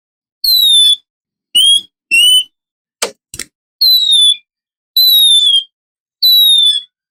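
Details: Oriental magpie-robin lure recording made in the morning, a female in heat calling a male: separate clear whistled notes, some sliding downward and some rising, spaced about a second apart, with a sharp click midway.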